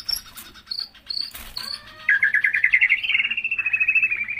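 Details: Caged white-rumped shama: a few high thin notes, then a long rapid rattling trill of repeated clear whistles, over a faint hum.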